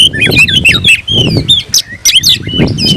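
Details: Oriental magpie-robin, locally kacer, singing to find a rival; quick whistled slurs and squeaky notes in rapid sequence over noticeable low background rumble.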